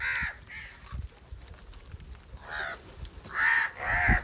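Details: Several coarse caws from crows squabbling over rice food, uneven in spacing, louder toward the end, with low outdoor background noise.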